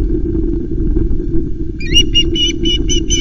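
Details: Osprey at a Loch Arkaig nest on 1 September as the male brings three small flounders for the chick; after low rumbling wind-like noise, a series of sharp, harmonic, whistled call notes starts and repeats about three times a second.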